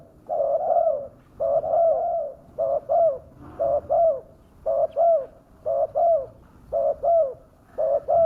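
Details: Spotted dove lure sound, fierce in tone, used to make wild doves descend: regular paired coos, a brief first note and a longer rounded second, repeated about once a second over a quiet background.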